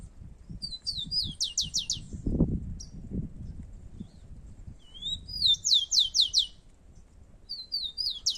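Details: Two wild rufous-collared sparrows competing in song outdoors in Brazil: high whistled phrases, each an upslurred note followed by a fast run of four or five descending buzzy notes, given twice, with low rumbling noise and a voice below.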